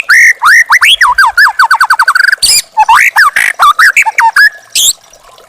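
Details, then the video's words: Young wild-caught white-rumped shama used as a master recording for training caged birds: a rapid, varied run of loud whistled notes, repeated rising and falling slurs, quick trills and a sharp buzzy note, delivered in close succession. "masteran burung murai batu muda hutan"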